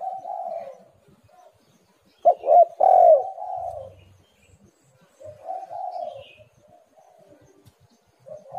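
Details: Spotted dove cooing as a lure for birds slow to call, a loud stuttered coo phrase followed by softer rolling coos at intervals, low and mellow, in a quiet setting.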